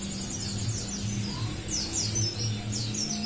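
Orange-headed thrush female giving thin, high, down-slurred whistles in quick clusters, several each second, over a steady low hum.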